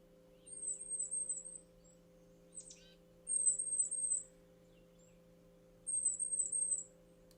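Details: Tufted titmouse high "Z" alarm calls warning of danger: thin, very high notes in a narrow 6–7 kHz band, given in three bursts of four or five about two seconds apart, over a steady low hum.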